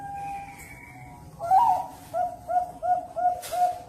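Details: Bird-farm zebra dove in Cirebon, Indonesia: a faint steady whistle-like tone, then an emphatic first note followed by a quick series of gentle repeated coos at a steady rhythm.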